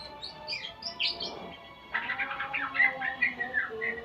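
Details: Shama practising sounds: a few high squeaky notes, a short pause, then a rapid rattling run of chirps and thin whistles, faint steady tones underneath.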